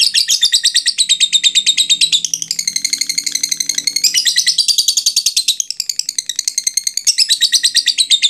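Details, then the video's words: Lovebird giving ngekek, a long chattering song used as a lure to stir other lovebirds into calling: a shrill, rapid buzzy stream of notes, about three per second, changing tone in blocks, with a faint low hum underneath. "suara lovebird ngekek panjang"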